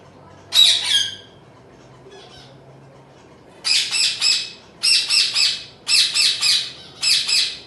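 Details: A home-bred zebra finch chick indoors gives one long raspy call, a short pause, then quick clusters of two or three harsh, buzzy squawks.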